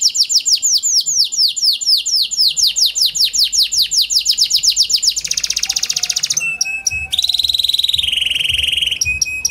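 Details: Kenari panda canary song lure for canaries reluctant to sing: long chain of descending whistled sweeps, then a dense buzzing trill, sharp high clicks, and a rolling lower trill.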